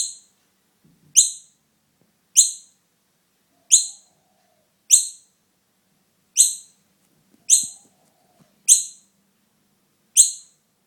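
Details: Fledgling noisy miner, found alone without its mother and taken home to be cared for, giving short, sharp, high chirps, each falling slightly, repeated roughly every 1.2 seconds, with a faint low hum between calls.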